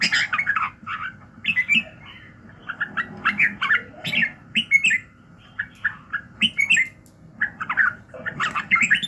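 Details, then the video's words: Red-whiskered bulbul singing in the morning for voice training: long sequence of cheerful warbled phrases and quick chirps, a quieter stretch near the middle, then loud bursts again toward the end. "luyện giọng Chào mào buổi sáng kích lửa hiệu quả"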